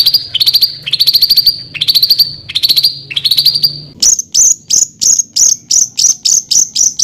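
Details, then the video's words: Songbird master recording for contest-bird training, with rough rolling material: five quick bursts of rattling high notes, one roughly every three quarters of a second, followed by evenly spaced sharp piercing chips about twice a second. "INI DIA BURUNG MASTERAN KASARAN NGEROLL"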